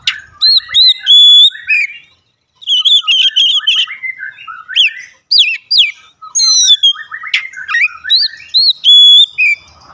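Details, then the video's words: Oriental magpie-robin song used as a daily lure to get other birds singing: clear, varied whistled phrases, some sliding up or down, with pure drawn-out notes and short chattering bursts, delivered in bursts separated by brief pauses. "pancingan harian Kacer langsung gacor"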